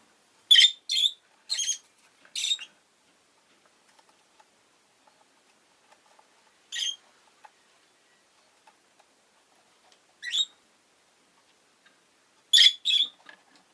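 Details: Rosy-faced lovebird calling in short bursts: three rasping chirps in quick succession, then single sharp ones at about seven and ten seconds, and a final paired burst, with near silence between.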